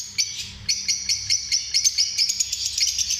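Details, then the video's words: Lovebirds chattering with quick, sharp high chirps and squeaks repeated in rapid irregular succession, over a faint low hum. "Amazing sound of love birds"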